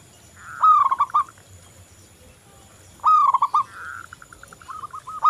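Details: Local zebra dove in vigorous song, meant to draw other doves into singing. Two rising, rolled coos about 2.5 seconds apart, each trailing into short staccato notes, with a softer series between them.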